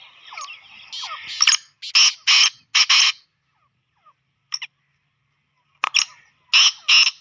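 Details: Black francolin, a pet bird, giving its excited call, used to attract it quickly and rouse it; a few rasping, buzzy bursts grouped in twos and threes, separated by short silences, with soft scratchy notes before.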